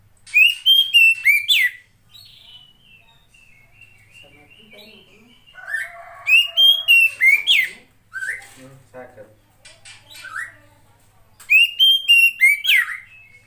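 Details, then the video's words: Female Oriental magpie-robin used as a prompt for lazy males to sing: three bursts of rapid loud whistled notes, each about two seconds apart from quieter stretches holding soft chirps, faint voices and a low steady hum. "SUARA KACER,POCI BETINA,terapi untuk memancing burung jantan yang males bunyi"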